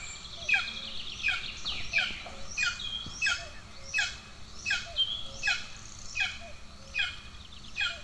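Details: Starving golden eagle chicks at an Estonian nest, 2 June 2024, where the older sibling attacks the younger; piercing down-slurred squeals recur steadily about every 0.7 seconds, around eleven in all.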